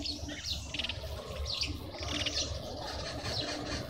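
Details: A juvenile African grey hornbill (Lophoceros nasutus) in a suburban garden in Pretoria, South Africa, gives thin, high squeaky notes in short bursts, roughly every second, over a steady low rumble.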